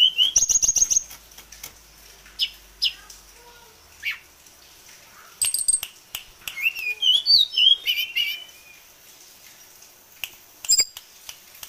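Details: Kept tame sulingan gunung songbird with a varied repertoire mixes sharp clicks and rattles with brief upslurred whistles and quick chirping phrases, loud at the start and middle.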